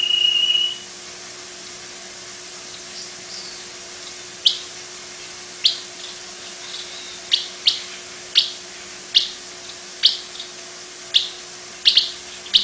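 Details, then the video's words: Long-tailed paradise whydah chattering song: a brief whistle at the start, then sharp high clicking chips repeated roughly every half second to a second, over constant background hiss and low hum. "Long-Tailed Paradise Whydah (Vidua Paradisaea)"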